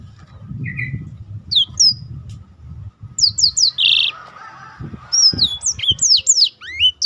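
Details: Black-throated canary used to spur other birds into song, starting with a few scattered high notes, then a buzzy burst and a fast series of sharp downslurred whistles.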